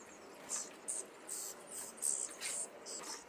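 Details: Young common starlings kept in a cage in Liepāja, Latvia, in May 2024, with city sounds in the background. Short, hissing, high-pitched harsh bursts come at uneven intervals, about seven in three seconds, over a quiet urban hum.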